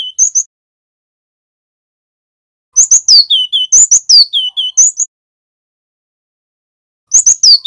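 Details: Male Javan wingko cinereous tit, loud master song for luring wild-caught birds into singing: brief chips, a long silence, then a two-second burst of sharp high notes and falling whistles, with another burst starting at the end.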